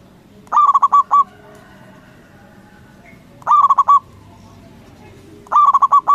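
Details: A loud local zebra dove sings to provoke other doves to reply. Three phrases of rapid, rolling coos, each about half a second long, separated by pauses of two to three seconds over faint background hum.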